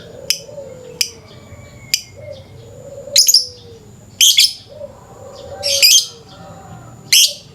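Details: Morning lovebird lure recording described as a long 'ngekek' chatter: thin high chirps roughly every second, then louder, rasping clustered bursts, while gentle drawn-out whistles from other birds run underneath.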